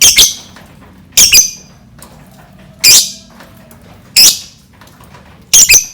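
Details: Lovebird calls used as a lure to draw out other birds: five loud, harsh, shrill squawks in short bursts, some doubled, spaced about a second apart, with a low hum beneath.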